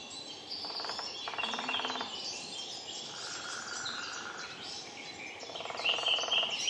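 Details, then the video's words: A Lesser spotted woodpecker on 19 April 2018 gives several fast, rattling runs of notes about a second each, with thin high chirps from other small birds behind. "Lesser spotted Woodpecker"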